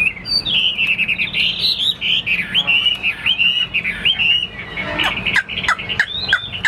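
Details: Chinese hwamei, caged fighting bird with spread-wing display, sings sustained wavering whistles that break into short sharp downward notes and clicks in the second half.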